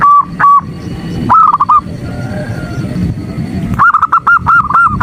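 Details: Female zebra dove calling to a male: a few coos, a short quick burst, a long lull with only low background noise, then a fresh run of rapid evenly pitched coos.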